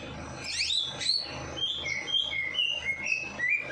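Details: A bird bathed at night sings steadily to stimulate lazy birds: rising whistled sweeps followed by a chain of clear, short whistled notes alternating high and lower, about three per second, over a low background hum.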